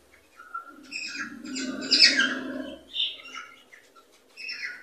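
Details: Cockatiels chatter in a sound intended to encourage breeding. Overlapping squawks and warbled notes sit over a steady low hum, then fade to scattered chirps.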